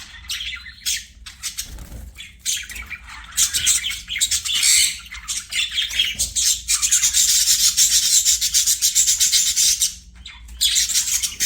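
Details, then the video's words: Budgerigars singing as they play, with scattered chirps giving way to a long, dense run of rapid buzzy chattering, then a brief pause and more chatter. "BUDGIES SINGING PLAYING"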